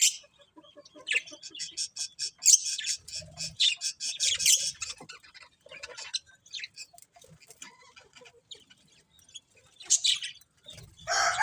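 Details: Pet budgerigars give a rapid series of clicking, ticking chirps, then scattered high notes and a few harsher squawks near the end.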